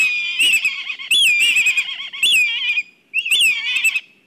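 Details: Agitated black kites at their nest in Kurzeme, Latvia, filmed by a nest camera. Repeated high, wavering whinnying calls rise and fall in pitch in quick bursts, with brief gaps and rattling lower undertones.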